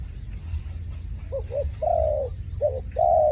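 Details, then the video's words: Two dove phrases, each a pair of soft short coos followed by a longer, slightly falling coo, low and hollow, with a thin steady high whine in the background. "សំឡេងលលកហៅបរច្រើន The sound of a dove calling"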